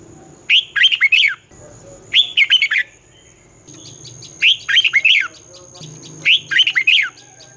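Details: Red-whiskered bulbul morning fighting song with a twisting voice, played to train young birds. Short, clear, warbling bursts of three to four looping notes come roughly every two seconds over a faint steady high hum.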